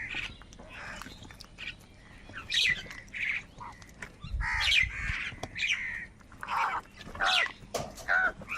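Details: Crows fighting over food give loud, harsh, squawking calls, several birds calling over one another in rough bursts with short gaps, over faint background rumble.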